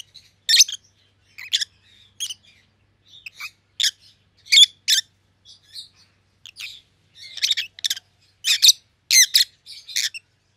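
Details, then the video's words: Kept rosy-faced lovebirds, a pallid opaline and a green opaline with white heads, repeat sharp, rasping chirps at irregular intervals, growing denser and louder toward the close. "Rosy-Faced Lovebirds - Chirping and Call Sounds"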